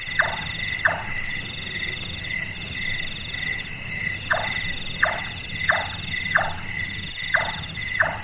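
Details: Carpentry-like knocks of a nocturnal large-tailed nightjar: two chonks, a silent stretch, then a run of six, each brief and falling, set against a steady high insect drone.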